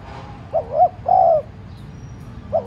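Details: Decoy spotted dove giving a gentle urging coo to stir other doves into calling: two low hollow coo notes, the second longer and steady, then a short opening note cut off at the end; faint background hum.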